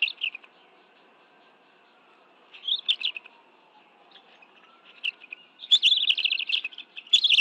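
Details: Two adult bald eagles and two young feed on fish at the National Arboretum nest in Washington, D.C., 11 June 2017; short clusters of shrill chirps break a quiet spell, ending in a dense, rapid chittering run.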